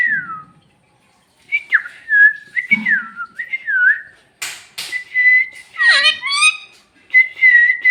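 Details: Talking parrot said to speak Bhojpuri delivers a string of short falling whistled notes, a couple of sharp noisy bursts, a harsher descending harmonic call, then a steady level whistle.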